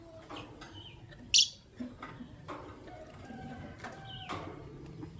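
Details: Morning calls of green Personata and albino lovebirds: a loud, harsh chirp near the start and a shorter one later, with faint whistled notes and light scratching between them.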